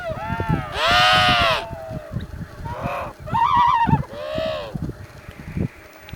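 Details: Emperor penguin adults call over their noisy, crowded colony: several loud, harmonic, trumpet-like brays, each under a second, some arching and one wavering, separated by short gaps, with crowd rumble and thuds underneath.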